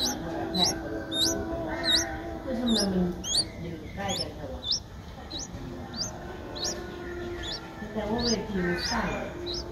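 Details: A seven-day-old streak-eared bulbul chick, a very common resident of Ubon Ratchathani, Thailand, recorded 9 April 2023, the age its eyes open. Thin rising chirps come about once or twice a second, steady throughout, with faint murmuring and rustle underneath.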